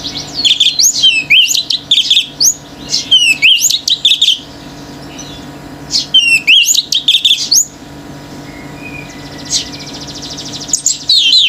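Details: Male orange-headed thrush pouring out 'gacor teler' song that sets other birds off: clusters of quick looping whistles and downslurred notes, repeated phrases every few seconds, then a quiet stretch before another burst, over steady hum.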